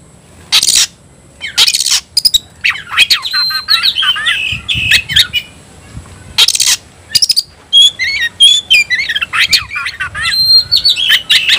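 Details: Oriental magpie-robin (kacer) challenging an opponent to fight: bursts of varied whistles and chatter, interrupted by several loud broadband rustling or flapping noises.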